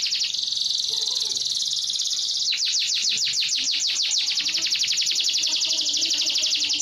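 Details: Yellow canary singing continuously: a dense high trill for about two seconds, then a run of rapid downward-sweeping notes, followed by a fast rolling, buzzy trill that fills the rest of the phrase.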